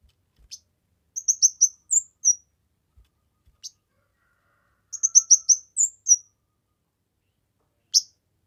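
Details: Kemade singing energetically, recorded for training other songbirds: short bursts of high, sharp chirped notes in quick runs of about six, separated by silent gaps and a few isolated single chips.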